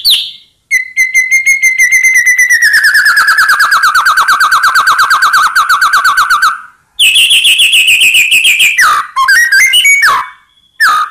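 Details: White-rumped shama singing to trigger rival birds into a reply: a long, fast, rattling trill of repeated notes that slowly falls in pitch, followed by a bright trill and scattered whistles.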